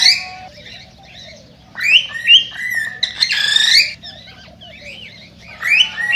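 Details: Cockatiel song to encourage mating: irregular rising and falling whistled phrases, short chirps and a brief harsh burst, separated by quieter pauses over a constant low hum.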